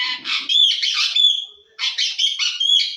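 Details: Talking parrot kept in Assam uttering continuous loud, harsh, buzzy squawking phrases with a brief whistled note between two rasping bursts.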